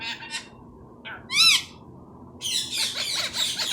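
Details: Tame talking Indian ringneck parrot, said to speak Urdu and Hindi, uttering brief harmonic arched notes, a loud rising-falling call, then a second of harsh overlapping squawks against constant low background hum.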